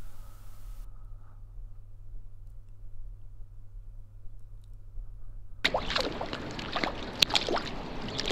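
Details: Quiet hum gives way to close splashing and sloshing water from paddling, with no clear animal calls.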